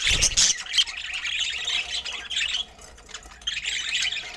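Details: Several budgerigars chatter during feeding, a loud burst of harsh squawks at the start giving way to busy, overlapping high chirps that dip briefly in the middle before picking up again.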